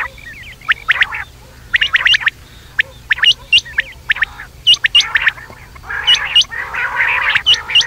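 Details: Quail calling at night, short sharp whistled notes sweeping up and down, given singly or in quick pairs and triplets about every second, over a lower buzzy harmonic chatter and a steady low hum.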